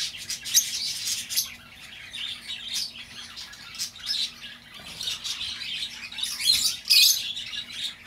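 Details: Lovebird chatter for luring back a lost bird: a brisk series of harsh squawks and chirps, with a busy opening, a quieter middle stretch, and a loud shrill burst near seven seconds.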